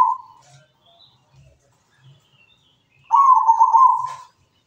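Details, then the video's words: Local zebra dove singing actively: a rough, purring coo phrase near one pitch lasting about a second, preceded by a brief opening note and faint scattered chirps. "Perkutut lokal gacor suara mewah"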